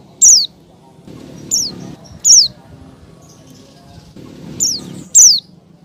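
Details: Female Oriental white-eye calling a male while in heat: five or six high, thin chirps that slide downward, a loud one opening and closing the series, with a low muffled hum underneath.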